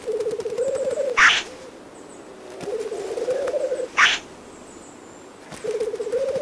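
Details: Black grouse at an upland lek in the spring dawn chorus give a low, bubbling, dove-like rookooing, broken about every three seconds by a sharp, hissing sneeze, with faint high notes from other birds behind.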